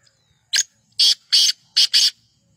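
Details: Black francolin, known locally as kala teetar, calling: five loud, harsh, rasping notes over about 1.6 seconds. A single note comes first, then two evenly spaced notes, then a quick closing pair, against a quiet background.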